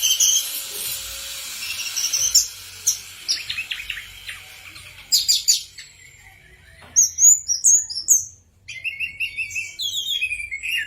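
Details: Orange-headed thrush song, a varied run of high whistles, buzzy trills and sharp chirps with short pauses, bright mimicking phrases toward the end.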